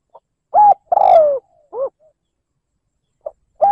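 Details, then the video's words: Spotted dove lure bird cooing in liêu lỡ style to provoke wild birds; a soft pip, steady coo, long falling coo and a lower double-toned note, then a pause and another phrase beginning. "Tiếng mồi cu gáy liêu lỡ gáy gù kích bổi"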